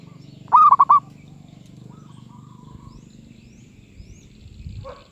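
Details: Medium-voiced zebra dove gives one quick phrase of four stuttering, rolling coos near the start. Afterwards there are only faint soft notes and low background noise.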